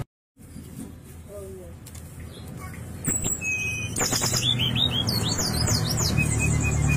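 A brown-chested jungle flycatcher gives clear, high whistles and quick sweeping, slurred phrases, building in pace over a steady low rumble of background noise.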